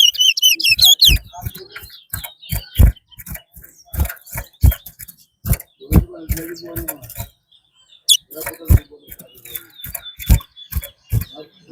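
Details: Competition singing from a chestnut-bellied seed finch, or twa-twa, at a Rosehall race in Guyana. A rapid, high rolling trill opens, then sparse whistled notes persist beneath dense clicking thuds and brief murmuring.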